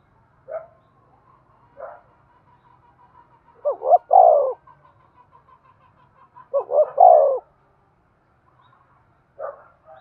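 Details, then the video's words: Spotted dove in the excited 'thúc' cooing used to stimulate decoy birds: two strong three-note coos, short rising notes then a falling drawl, about three seconds apart, over a thin repeated ticking and scattered soft calls. "tiếng cu gáy thúc sung dùng kích bổi tập mồi hiẹu quả nhất"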